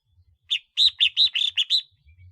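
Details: Decoy red-whiskered bulbul gives a rapid burst of around seven clear, warbled chirps in close succession, then falls silent apart from faint low thumps in the background.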